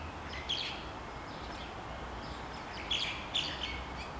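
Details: Hen uncovering her chicks, wild chickens in Hawaii; brief shrill peeps, one early then a cluster of three near the end, with a soft outdoor hum beneath.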